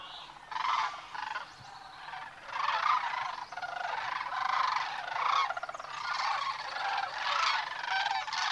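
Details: Sandhill cranes on migration through the Platte River Valley, Nebraska, on the morning of March 18; a distant, blurred chorus of many rattling, trumpeting calls merging into a steady wash of sound.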